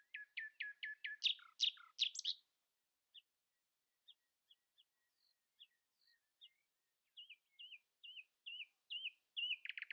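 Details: Morning song of a common nightingale asserting itself over rivals: a quick run of loud repeated chips and harsh notes, a pause with scattered single notes, then a series of repeated warbled, twisting phrases.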